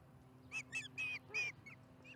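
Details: Osprey calling at the Charlo nest during dinner on July 15, 2019, 4:30 pm MDT: four loud, short, slightly buzzy whistled chirps in quick succession, then two faint ones, over a low steady hum.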